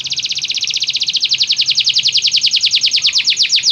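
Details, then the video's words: Canary singing, played to draw a caged canary into song: a steady, rapid roll of bright trilled notes, about ten per second, running evenly through the whole stretch. "o som de atrair seu canário para cantar imediatamente"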